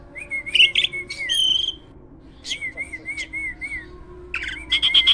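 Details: Energetic caged hybrid myna (jalak) used as a training master for other birds; clipped whistles and buzzy chatter, then a row of five looping whistled notes, ending in another burst of chatter.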